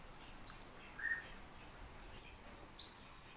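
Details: Eurasian bullfinches kept by their owner, calling with soft, thin, short whistles: two high brief notes and one lower note between them, against faint steady hiss.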